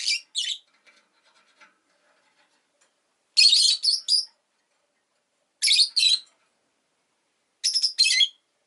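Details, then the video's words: Chirping rosy-faced lovebird, a pet bird, uttering bursts of two to four harsh high squeaky notes roughly every two seconds, with faint soft ticks in the quiet between. "Lovebird Chirping Sounds"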